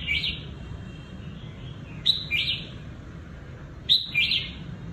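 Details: Caged red-whiskered bulbul decoy from Cao Bằng, Vietnam, kept for trapping, giving two bursts of sharp chirps run into slurred warbling whistles, separated by a couple of seconds of quiet low hum.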